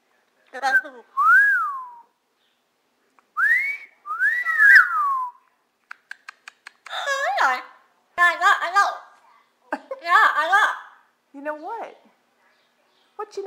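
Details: Yellow-naped amazon (Amazona auropalliata), a pet parrot that speaks Spanish and English while watching TV, gives clear rising-and-falling whistles, then a few clicks and a run of harsh, speech-like chatter.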